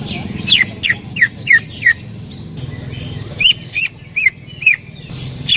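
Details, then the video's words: Greater green leafbird singing loudly for song training: a series of sharp, downward-swept whistled notes repeated about three times a second, with short pauses and faint background noise. "Masteran cucak ijo gacor full tembakan suara keras"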